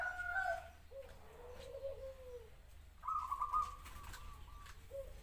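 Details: Zebra dove opens with tonal notes, then a lower drawn-out coo, then a fast staccato trill of cooing notes, ending with a short low coo; quiet background.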